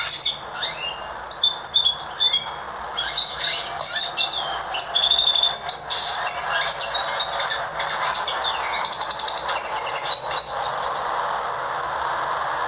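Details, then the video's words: Goldfinch mule, a hybrid of a goldfinch and a Lizard canary, sings a fast, continuous twittering song of bright chirps, trills and high whistled notes, with no pauses. "Goldfinch Mule | hasil silang goldfinch x Lizard"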